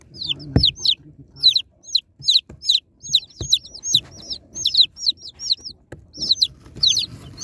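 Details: Baby chicks, unboxed, calling together in a steady chorus of shrill, sharply falling peeps, overlapping about once or twice per second, with occasional knocks and rustles.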